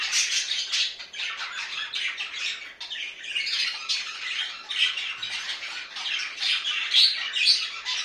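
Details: Domestic budgies calling indoors: a dense, unbroken stream of harsh, high chirps and squawks, rapid and irregular throughout.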